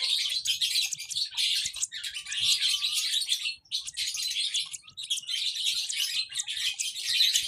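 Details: Lovebird baby chirps in high, rasping bursts lasting one to two seconds each, with short breaks between them.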